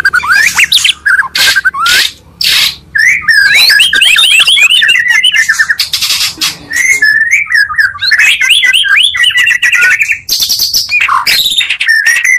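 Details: Oriental magpie-robin song mixed from two birds to provoke others: loud buzzy bursts and sharp whistles, then long stretches of fast varied warbling and chattering phrases.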